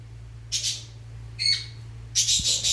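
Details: Fischer's lovebirds mating and preparing the nest give three separate bursts of shrill, high squawking with brief gaps, the middle one more tonal, over a constant low electrical hum.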